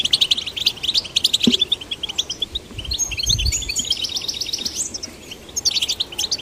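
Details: Rapid high twittering goldfinch song aimed at prompting male and female goldfinch chicks to sing; chattering bursts and buzzy phrases, a quieter stretch near the end, and a couple of low knocks.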